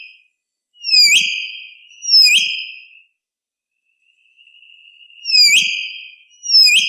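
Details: Common hill myna giving loud, piercing whistled calls: four notes in two pairs, each opening with a sharp upward sweep into a steady ringing tone, with a quiet pause between the pairs and no other sounds.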